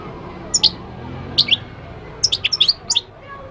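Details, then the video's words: Moroccan goldfinch song in scattered phrases: a pair of sharp high notes, another pair, then a quick run of bright twittering chirps, against a low steady background hiss. "تغريد الحسون المغربي chant de chardonneret marocain"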